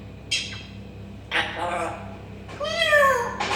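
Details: Indoor parrot copying a cat, with a short sharp squawk and a breathy rasp followed by a clear, long meow-like cry that rises then falls, over a low electrical hum.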